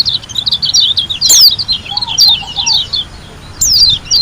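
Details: White-eye from Lombok in showy, wild-type singing: a lively run of high, twittering chirps interrupted by loud downward-sweeping whistles, with a quieter low trill in the middle.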